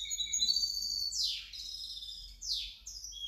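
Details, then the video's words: Song of a hybrid European goldfinch, high twittering notes broken by two sharp, falling buzzy sweeps, the trills continuing between them at a fairly steady loudness. "otro mi mixto de jilguero 2019 2020"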